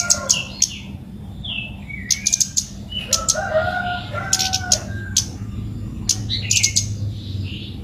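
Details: A red-whiskered bulbul in full song, challenging a rival, gives scattered clear whistles and short slurred phrases mixed with sharp high clicks. A steady low mechanical hum runs throughout.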